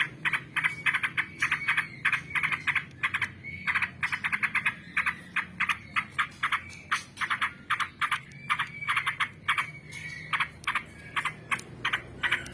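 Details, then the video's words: Sooty-headed bulbul (trucukan) singing in the long 'ngebrem' style: fast, rough chattering notes repeated several times a second for the whole stretch, with brief clear whistles woven between bursts. "suara burung trucukan||trucukan ngebrem panjang"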